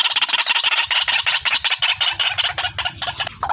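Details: Quick, repeated harsh notes, nearly three per second, from a female white-breasted waterhen in a clean lure recording.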